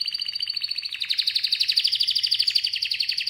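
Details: Continuous rapid canary trill, dense repeated chirps that rise slightly in pitch and grow louder midway, with a faint low hum underneath.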